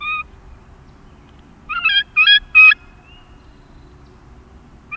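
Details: A wild turkey gives a kee-kee run call up close in the wild: a quick run of three high, whistled notes with a slight raspy edge, plus single notes at the start and end. The background is quiet.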